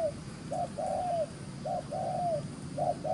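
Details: Brisk coos from a wild-caught spotted dove of the fields, cooing rapidly: clipped notes alternating with longer ones that fall away at the end, in quick pairs across three seconds.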